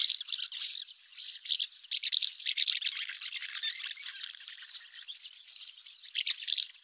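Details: Common house martin: dense, scratchy high twittering with rapid dry rattling chirps, running almost continuously with louder bursts near the start, middle and end, and no other clear sounds.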